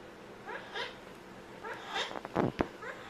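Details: Pet Amazon parrot making funny sounds indoors: short harmonic squawks in quick pairs, rising then falling, scattered through the clip, with a few sharp clicks near the end.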